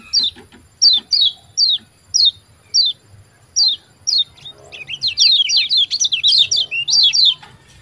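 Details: Kecial kuning white-eye calling "ciak ciak" to spur quiet caged birds: evenly spaced, crisp downslurred chirps roughly every half second, building into a fast, continuous chattering sequence toward the end.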